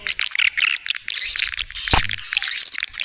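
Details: Swiftlet calls used to draw swiftlets in: a packed, high, buzzy twittering with short gaps between bursts. A single sharp click cuts through the middle.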